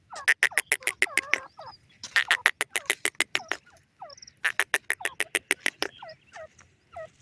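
Grey partridge giving three bursts of harsh, rapid clicking rattles about two seconds apart, mixed with short, creaky, down-slurred notes.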